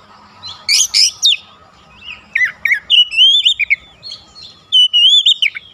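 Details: Oriental magpie-robin song used as a lure to provoke rival magpie-robins: harsh buzzy chatter bursts, then clear whistled slurred notes around mid-high pitch, wavering and repeated in short phrases, with a faint steady hum beneath.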